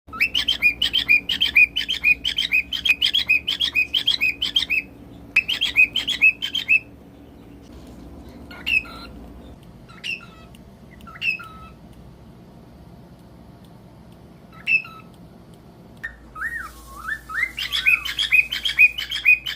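A cockatiel sings rapid, repeated chirpy whistles, then sparse calls and a closing warbled phrase.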